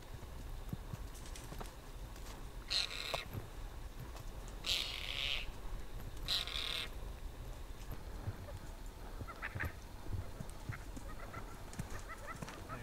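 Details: Tibetan partridge in the mid-winter freeze of Ladakh in the high Himalaya gives three harsh, grating bursts a second or two apart, then fainter scratchy notes, over a steady low rumble of wind.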